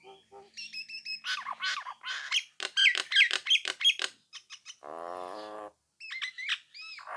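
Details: Nias hill myna in lively full song, used to provoke rival birds into answering and singing along: varied loud whistles, squeaks and harsh notes in quick bursts, with a buzzy nasal passage near the middle and clear rising whistles at the end.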